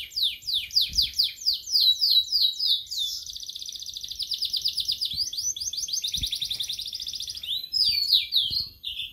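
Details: Newly kept sulingan laut, also called tledekan laut, singing in captivity after three days of care: an unbroken high song of rapid descending slurred notes that shifts into a fast, dense trill, then returns to choppy sweeping phrases.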